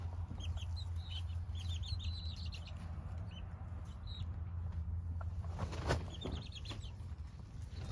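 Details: Small chicks cheeping in short high arched notes, bunched in bursts, with rustling and a soft knock near the end over a constant low hum.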